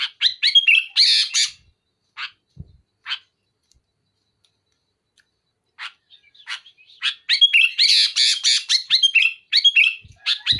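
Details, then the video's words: Loud sooty-headed bulbul song, delivered as dense filler phrases aimed at a rival: rapid chattering whistles and rasps, a stretch of scattered single notes with silence, then a renewed burst of tightly packed harsh and whistled notes. "Suara burung kutilang gacor muntahin isian besetan keras pedas tembakan rapat menekan lawan"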